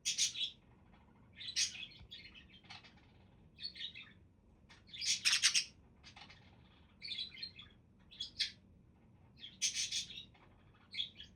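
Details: Budgies chatter loudly in clustered bursts of harsh squawks and squeaky warbles, groups spaced a second or two apart, over a quiet low hum.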